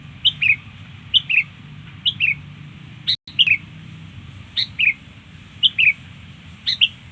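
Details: Sooty-headed bulbul song for luring birds: clear paired whistled notes falling in pitch, phrases spaced about a second apart, one brief dropout midway, steady low background hum.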